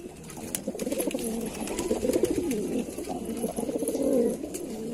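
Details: Lalsara pigeon cooing: low, throaty, rolling coos that swell and fade over several seconds, with brief sharp clicks and taps scattered behind.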